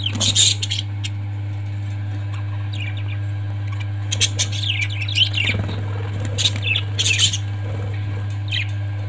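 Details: Scattered parrot chirps and short chattering notes come in loose groups through the recording, with quiet gaps between them, above a constant low droning hum.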